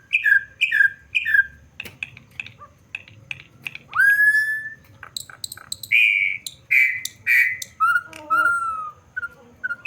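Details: Campo troupial singing loud, mellow whistled phrases. Quick doubled notes open the song, followed by long, full whistles, some rising and some falling, separated by short pauses and soft clicking.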